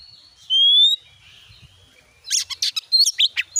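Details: White-rumped shama song used as a lure to start a kept bird singing: a long rising whistle near the start, then after a pause a burst of sharp chirps, trills and varied whistled notes.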